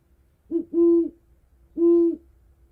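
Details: Great horned owl giving low, steady hoots: a short note, then a longer held hoot, a pause of about a second, and another long hoot, all at one even pitch against a quiet background.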